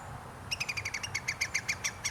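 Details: Iberian green woodpecker recorded on 2 July 2022 giving a rapid run of loud ringing notes, about eleven in a second and a half, over steady low ambient noise.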